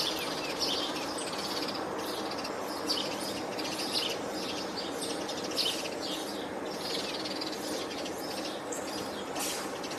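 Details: A busy flock of house sparrows near campus buildings on 20 June 2024 keeps up overlapping chirps and chatter throughout, with robins and starlings also around, over a steady wash of outdoor background noise.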